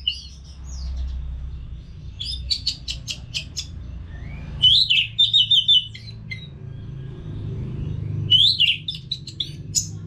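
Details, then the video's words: Caged orange-headed thrush, sung as a lure for other caged birds: staccato clicking notes in rapid series and warbled whistled phrases, in bursts separated by quiet gaps, over a steady low hum. "ANIS MERAH GACOR TIADA HENTI TANPA NGETEM"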